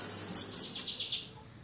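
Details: Javan bushlark, from a 2022 tutor recording: a short phrase of four or five high, descending slurred whistles, evenly spaced, fading out at the end.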